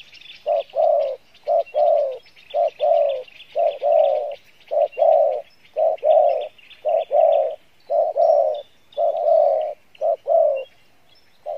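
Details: Spotted dove of the 'Pha Bài Lối' song style, good-voiced, gives a sustained run of soft low coos in regular short-long pairs, about one each second. A busy wash of faint high bird chatter continues behind it.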